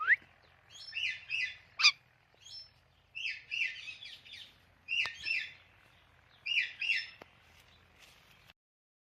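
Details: Natural chirping from a talking parrot: loud clustered chirps in paired bursts roughly every one to two seconds, with occasional sharp clicks over a low background hum.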